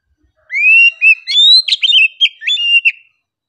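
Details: An oriental magpie-robin sings calmly, opening with a rising whistle, then clear level whistles and quick bright notes at a gently varying pitch, in an otherwise quiet recording.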